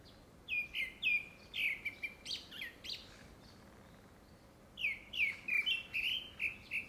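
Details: Grey-backed thrush singing a courtship song, probably for a second breeding: two bursts of clear, falling whistled phrases and short trills, the first near the start and the second after a pause of over a second, with quiet background.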